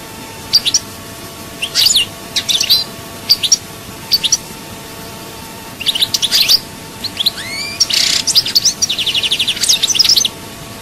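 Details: European goldfinch, Souk Ahras, Algeria, chaayba song: scattered high chirps at first, then denser twittering phrases with a rising whistle, a brief buzzy note and a closing fast rattling trill.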